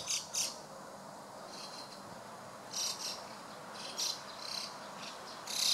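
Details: White-cheeked starlings gathering in a flock; faint, scattered harsh high chattering notes come in short irregular bursts, a few close together, over a steady low background hiss.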